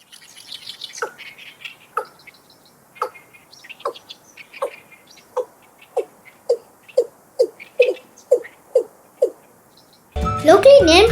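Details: Male Watercock, whose males are very vocal in the breeding season, gives a series of hollow, low liquid gulps like a water bottle emptying. The notes speed up from about one per second to faster pulses, with faint birds behind and music at the end.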